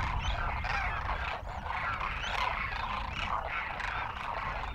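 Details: Demoiselle cranes feeding at village feeding arrangements in Rajasthan call together in a dense, overlapping chorus of hoarse, trumpeting croaks, described as happy crooning, with a steady low rumble beneath.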